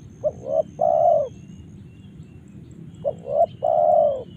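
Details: Two evenly paced phrases from a spotted dove in Karawang, Indonesia, about three seconds apart, each a quick low note, a rising coo, and a long drawn final coo; faint hum beneath.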